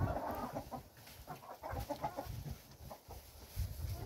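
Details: Several chickens out eating, with a dense run of quick, irregular clucks and murmuring calls over steady outdoor background noise.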